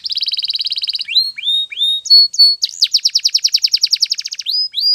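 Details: Canary training song, opening with a fast rolling buzzy trill, then rising slurred whistles and a long run of rapid downward-swept chips.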